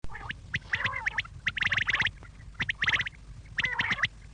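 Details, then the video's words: Quail calling, an evening call meant to draw quail in: short clipped notes bunched in quick groups of three to five, the bursts coming roughly every second with brief gaps, over a faint low hum. "شام کیلئے بٹیر کی صاف آواز"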